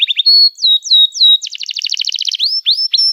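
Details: Canary singing in a long, emotional 'cuit cuit' style meant for training young birds: slurred descending whistles, then a fast buzzy trill, ending in upward swooping notes.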